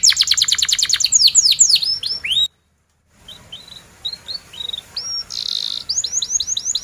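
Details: Canary singing as a tutor for young birds learning their song; a dense rapid trill of falling sweeps cuts off into a short silence, then quieter separate upslurred chirps build back into quick repeated sweeps.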